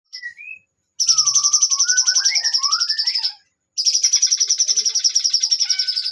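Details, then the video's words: Bulbul in long continuous song: a few short rising whistles, then a high, rapid trill of buzzy pulses at about three or four per second, held for over two seconds, a brief pause, then the trill resumes. "cucak cungkok nembak panjang"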